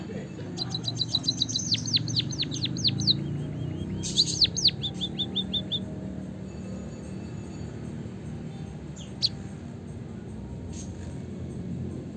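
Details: Chirping of white-headed munia, used as a lure to get caged birds singing: quick bursts of thin, high, downward-sweeping chirps over the first half, then near quiet with a low rumble.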